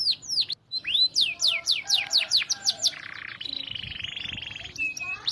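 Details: Canary song for teaching other canaries: a run of sharp down-sweeping whistles, then a harsh buzzy rattle and a brief steady whistle.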